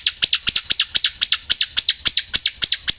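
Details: Black-winged myna, a caged bird singing nonstop outdoors and in the hand, gives a steady series of sharp chirps, about four each second, evenly spaced and high-pitched.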